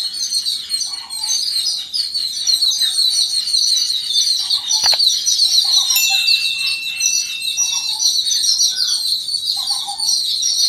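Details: Yellow-billed babblers react together to an unidentified threat. Dense high chatter persists throughout, with repeated short lower buzzy notes and a sharp click near the middle.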